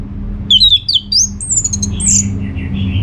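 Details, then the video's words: Orange-headed thrush song, played as a lure to get other birds to answer: loud, high whistled phrases that slur and jump between notes in quick succession. A steady low hum runs underneath. "Kicauan ANIS MERAH Gacor Ini dijamin Pasti Ikut Nyaut"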